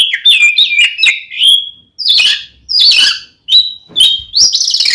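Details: Provoking fighting song of an oriental magpie-robin, aimed at angering another male: warbled whistled runs, harsh scratchy bursts and clear sliding notes come in separate phrases split by short silences.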